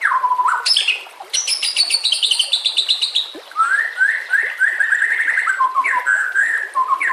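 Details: White-rumped shama song for training caged birds, with nature sounds and gurgling water; a falling whistle, a high buzzy rattle, then a rapid run of repeated rising notes and slurred whistles.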